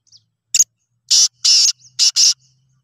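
Black francolin: a short click, then four loud, harsh, grating notes, the last two in a quick pair. No other sounds.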